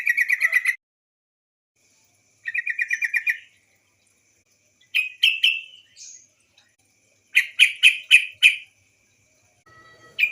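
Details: White-browed bulbul female call serving as a lure to provoke singing; two rapid chattering bursts, then clusters of three to four loud clipped notes.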